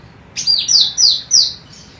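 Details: Female golden cucak rante, a training recording: one crisp phrase of four clear, downslurred whistles in quick succession, each dropping in pitch, then silence.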